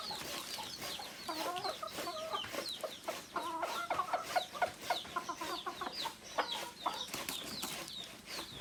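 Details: Native chickens, roosters and hens together, clucking in a busy flock: short repeated mid-pitched clucks in quick runs, over a background of many chirping birds and steady noise.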